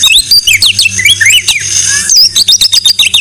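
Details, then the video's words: White-rumped shama song meant for tutoring other songbirds: quick, bright whistled notes and slurred sweeps in a rich high jumble, then a fast run of short repeated chips, over a constant low hum. "Masteran MURAI BATU No.1"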